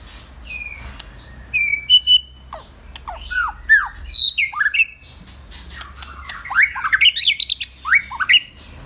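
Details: Captive male white-rumped shama kept for breeding: varied song of clear whistled notes, rising and falling slurs and sharp chips, ending in a rapid run of loud fluty phrases, with low background hum.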